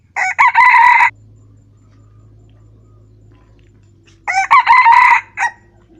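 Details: Red junglefowl in the wild on 28 June 2020, giving two ringing, stuttered crows about three seconds apart, each ending in a short clipped tail, with near silence between them.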